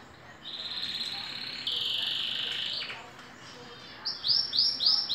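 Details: Green canary, two years old and moulting, delivers sustained high buzzy trills followed by a quick series of loud, sharply dropping repeated notes.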